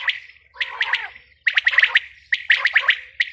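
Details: Female quail voice: rapid bursts of sharp, ringing chirps in tight clusters, separated by brief pauses, with light low background noise.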